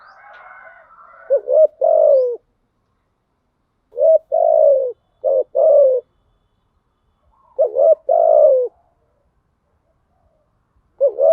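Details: Female spotted dove kept as a lure, cooing in gáy gọi and thúc gù styles meant to draw wild doves: four deep phrases of short paired notes ending in a long falling coo, spaced two to three seconds apart.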